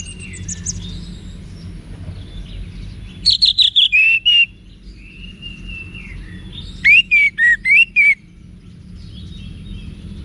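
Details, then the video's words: Orange-headed thrush song in wiksar style, played to provoke cage birds into answering: two bursts of rapid, buzzy repeated notes, each followed by clear whistled slurs, over a low background hum. "ANIS MERAH Manapun Bakal Nyaut Berani Untuk Figther Saat Didengarkan Kicauan Wiksar Ini"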